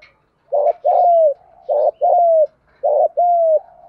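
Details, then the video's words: Spotted dove, thúc gù call style for exciting decoy birds: three evenly spaced coo pairs, each a rough short note leading into a long, smooth, slightly sinking hoot. "tiếng chim cu gáy kích bổi. giọng thúc gù"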